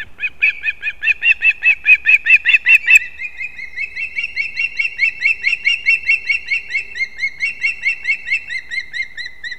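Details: Competing osprey nestlings at their pine-branch nest in Kurzeme, Latvia, 11-9-24, give loud, rapid, piping cheeps, one sharply louder run for three seconds, then a slightly softer, unbroken chain of high whistles.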